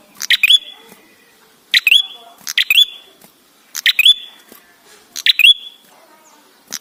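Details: Ashy tailorbird in 'gacor' singing, played to coax birds to sing: clicking bursts with a ringing high whistle, delivered in uneven pairs and singles over seven seconds.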